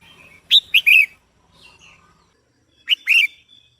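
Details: Female red-whiskered bulbul calling to stimulate a male: a bright, loud three-note chirped phrase, a soft warble, then a second two-note burst of sharp, downslurred whistles.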